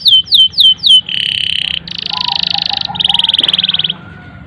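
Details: Canary singing 'gacor' style, a long song used as a lure for young or non-singing canaries: four loud down-slurred whistles, then three dense buzzy trill bursts, with quiet low warbling notes between.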